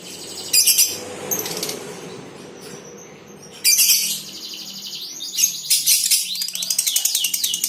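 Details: Colony lovebirds, female 'konslet' chatter for treatment: scratchy chatter bursts, then a run of quick sweeping whistled notes and a fast rattling trill toward the end.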